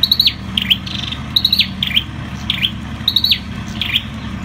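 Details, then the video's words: Singing ashy tailorbird (sâu đầu đỏ): rapid pairs of sharp high ticks sliding down into a swooping whistle, repeated about every half second, with faint low background hum. "Sâu đầu đỏ đá tay. Bird singing Orthotomus sepium"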